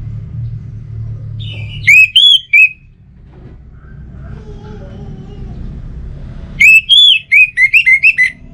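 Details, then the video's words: Orange-headed thrush song used as a lure to make a home-kept bird sing: a brief phrase of a few bright whistles, then a longer string of rapid whistled notes, with faint mid-pitched sounds and a low rumble. "ANIS Merah Dirumah Pasti Bunyi Dengar Pancingan Kicauan Burung ini"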